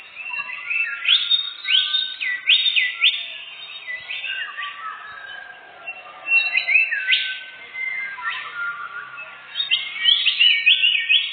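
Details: Canary song played as a forest bird-hunting lure: dense bursts of quick up-sweeping whistles, rattling trills and chirps, with three loud phrases broken by quieter warbling.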